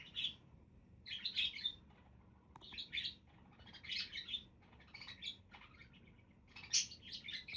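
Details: Several budgerigars keep up a busy high twittering, clustered squeaks and buzzy warbled notes coming in bursts roughly every second, with a faint low hum beneath.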